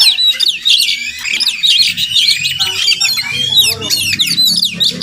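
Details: Oriental magpie-robin visiting a home every morning, wild and perhaps nesting nearby; strings of clear whistles and rapid chattering trills in quick succession, with a low humming tone audible in the second half.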